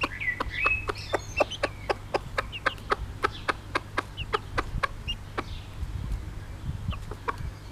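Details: Bobtail-coloured Pekin bantam mother hen with her chicks: a long, even string of dry clucks about four per second, slowing toward the end, with occasional high chick whistles over faint low background noise.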